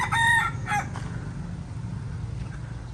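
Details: A young fighting-cock rooster in Mae Sot, being retrained after a wild junglefowl attack and wary of a barking dog, gives a short, harsh crow in two quick bursts lasting under a second, followed by low rumbling background noise.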